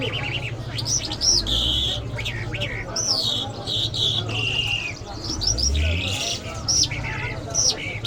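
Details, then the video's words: Iranian Mashhadi lark pouring out a continuous varied song of sliding whistles, buzzy held notes and sharp chirps, with a steady low hum beneath. "Jal Birds Iranians Lark Sounds | صدای طرقه، مشهدي مست"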